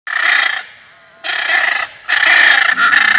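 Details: Blue macaw calling: loud harsh raspy squawks, each about half a second to a second long, three in a row with short gaps.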